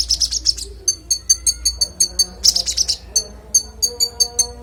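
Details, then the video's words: Konin song used as master training audio for songbirds: rapid bursts of sharp, high chirps and clicks, repeated in quick rhythmic runs with brief pauses, over faint low steady tones. "Konin bongkar isian suara jernih"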